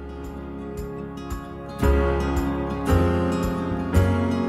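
Gentle guitar-led background music with deep bass notes swelling every second or so, and no animal voice is heard.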